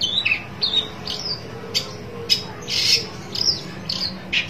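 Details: Long-tailed Shrike looking for a rival: irregular harsh squawks and sharp chirps, roughly two per second, including a broad raspy burst near the middle, over a quiet low background hum.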